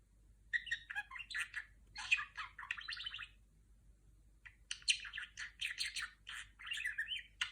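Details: Female budgerigar kept as a pet, mimicking R2-D2 sounds: dense buzzy warbling and chirps in two bursts separated by about a second of silence, indoors and quiet.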